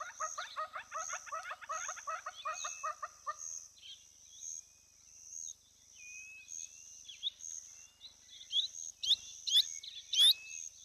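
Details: Female giant kingfisher filmed by a hide camera at a lodge in the Olkirimatian Conservancy, South Rift Valley, southwest Kenya. A fast rattling series of harsh stacked notes plays for about three seconds. Thin chirps from other birds follow, over a steady high insect hum.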